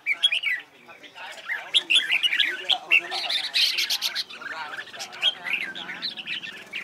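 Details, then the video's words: Red-whiskered bulbul competition song for practice: dense, overlapping chattering and warbling with rapid trilled notes, loudest in the middle, continuing without clear breaks. "CHÀO MÀO HÓT ĐẤU HAY"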